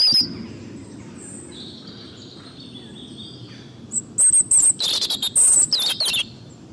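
European robin singing: faint, thin high whistles at first, then a loud burst of quick, sharp, tumbling high notes and fluttering trills, over soft background hiss.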